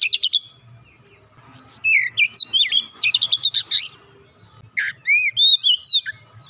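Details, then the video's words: Song of an Oriental magpie-robin, used to coax a reluctant bird into singing, with whistled slurs running into rapid harsh rattling chatter, then more loud curved whistles after a short gap. "kicauan indah memancing suara Kacer macet bunyi langsung gacor"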